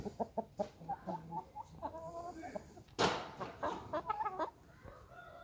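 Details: Light Blue Brahma chickens cluck in short, rapid bursts with brief squawks; one loud broadband burst breaks in midway, possibly a wing flap or a knock.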